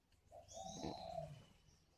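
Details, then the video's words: Spotted dove decoy bird, old and wild-caught, caged at a Ba Vì bird garden near Hanoi, gives a brief lead-in note and then a sustained soft coo, with a sharp click midway. "Gáy gọi Hậu 1"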